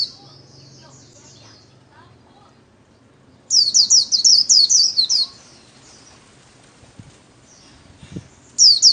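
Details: Pet white-eye kept as an ornamental bird, performing the 'líu' song style during daily song training: after a quiet stretch, a quick burst of about ten high, down-slurred whistled notes, then a few more starting at the end.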